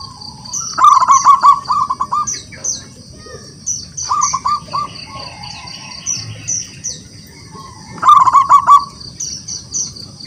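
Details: Wild local zebra dove in full song, calling rivals to answer: three bursts of fast, rolling coo notes about every four seconds, each a short trilled phrase, with high repeated chirps of other birds behind.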